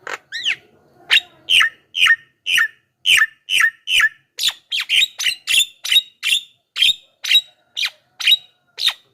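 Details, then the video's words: Javan myna song played as a lure for wild mynas and as tutor song: short sharp whistled notes with buzzy edges, repeated about twice a second in a steady series. "SUARA BURUNG JALAK KEBO,suara masteran paling dicari,ahli pancingan dengan variasi suara"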